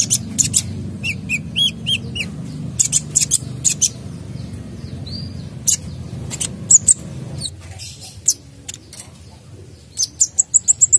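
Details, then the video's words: Sunbird in full song, its singing rich with mimicked phrases and used to prompt other birds to sing: bursts of sharp high chirps, short trills and twittering notes, with a steady low hum beneath that stops near the end. "Kolibri Dacok Gacor Full isian Cocok Untuk Pancing Bunyi"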